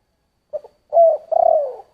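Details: Spotted dove singing a giọng thổ style phrase. A brief soft opening note is followed by a sustained coo and a long pulsing coo that slips lower in pitch. A new note starts at the very end. No other sounds.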